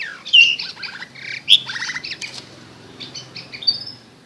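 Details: Long-tailed shrike chirping as a fighter master bird: a varied run of high, sharp chirps and short buzzy rattles, with brief whistled notes between, irregularly spaced over a few seconds against a quiet background.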